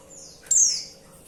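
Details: A female white-eye calls to the male with a single sharp, very high, falling whistled note lasting about a third of a second, background otherwise quiet.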